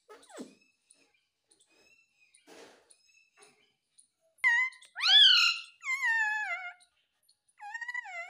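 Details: A pet ringneck (rose-ringed parakeet) talking, saying "Mummy Mummy": a few loud, rising-and-falling harmonic calls like squawked speech syllables in the second half, after quiet faint noises.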